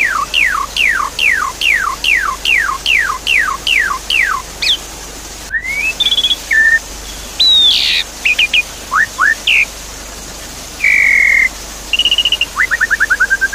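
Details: Javan pied starling song used as a lure to restart a bird that has stopped singing, with water sounds: a run of about ten steep descending whistles, then varied chirps, buzzy notes, flat whistles and a quick rattling trill over steady hiss.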